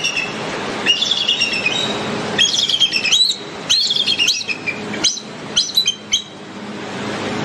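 An eagle gives high, thin chittering calls in quick bursts about every second or two, with faint background hiss.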